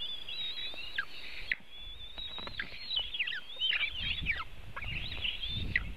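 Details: Feeding of eaglets at a White-tailed eagle nest in Latvia, webcam recording from the afternoon of 24 June 2018. A string of thin, quavering whistles with abrupt falling slurs runs over low rumbling wind-like noise.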